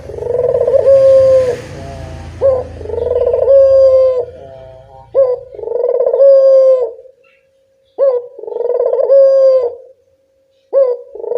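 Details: Local puter dove lure call: a series of phrases, each a sharp rising opener followed by a purring coo that settles into a held tone, repeated about every two to three seconds. A low rumble is heard early on.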